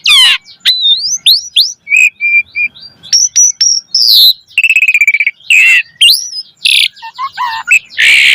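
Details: Energetic song of an Asian pied starling used as a training lure for caged starlings, mixing clear upslurred whistles, short flat tones, a fast rattling trill and harsh scratchy bursts in a dense, varied stream.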